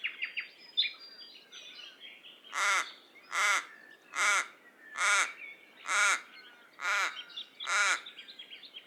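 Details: Common raven uttering a steady series of seven loud, harsh caws spaced under a second apart, preceded by faint chirps of smaller birds.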